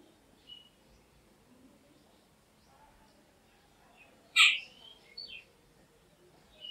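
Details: A jungle babbler, a noisy, gregarious resident of the Indian subcontinent, gives one loud, harsh, rasping squawk, then a couple of fainter scratchy notes over a quiet background.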